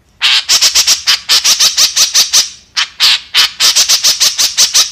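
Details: White-breasted woodswallow, called kekep, delivering loud continuous bursts of fast buzzy squawks, many notes per second, with one brief pause midway.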